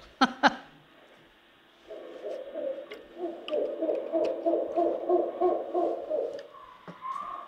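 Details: Female Mexican spotted owl in southeastern Arizona forest giving a long, raspy, wavering contact call that sounds unlike an owl, in the low-mid range and lasting several seconds, after two sharp clicks at the start; recorded during owl surveys.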